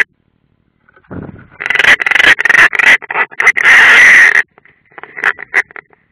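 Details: Rasping calls of European rollers at a nest, Ādaži training ground, Latvia, 30 June 2016, one bird unringed: after a second of quiet, dense grating croaks build into a long harsh scolding burst, then softer broken notes.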